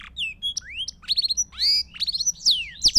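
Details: Belgian canary song for training young birds, a varied run of high whistled sweeps, short buzzy rolls and rapid trilled groups of notes, loud and clear over a faint low hum.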